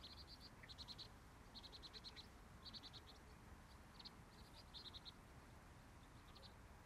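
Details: Morning chorus of sparrows: clusters of short, high chirps repeated every second or so, some faint notes between groups, with constant low background hum.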